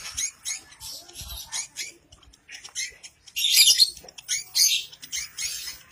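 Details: Caged lovebird giving a long ngekek chatter meant to set other lovebirds singing, a rapid run of harsh, high chirps and squawky bursts in quick irregular succession, loudest in the second half.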